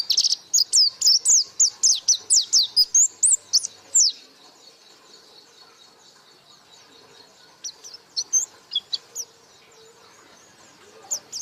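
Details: White-eye (pleci) in strong 'gacor buka paruh' song: a four-second burst of about fourteen quick, sharp, high notes that rise and fall, a pause of near silence, then scattered thin notes near the end.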